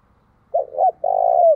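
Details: Single close phrase from a decoy spotted dove cooing to bring in wild birds: two short, looping low notes, then a long, loud, steady coo that dips slightly at the end.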